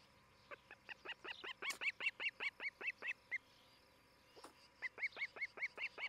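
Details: Nesting osprey pair site in Charlo, Montana, filmed by a nest camera on 11 July 2018: two bursts of piercing, evenly spaced chirps, roughly fourteen then seven notes, with a brief quiet gap between.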